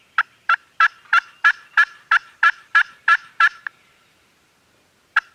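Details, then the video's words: Turkeys gobbling on a farm, taken on a Canon G7X camera: eleven evenly spaced rattling bursts at about three per second, a pause of over a second, then one more lone burst. "Turkeys Are Gobbling"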